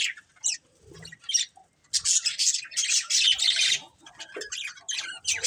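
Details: Pet budgerigars in a family group chirping and squawking, a few isolated calls followed by loud, harsh chattering bursts and quick high tweets repeated in uneven runs.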